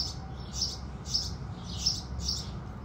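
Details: Brief run of house sparrow chirps at sunrise, four or five bright high notes in quick sequence above a low murmur.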